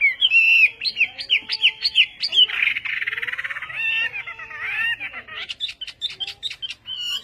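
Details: Vietnamese-style song of a Chinese hwamei, western type: clear looping whistles at a lively pace, then a dense rattling trill, then sharp clipped notes and bright whistled phrases.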